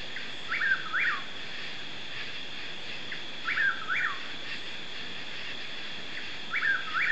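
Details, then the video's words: Chuck-will's-widow (Antrostomus carolinensis), a night caller heard but not seen, apparently on the ground, in mixed forest of the Piney Woods north of Houston, East Texas, USA, repeats its whistled three-part phrase about every three seconds over a steady high insect drone. "Birdsong, Chuck-will's-widow"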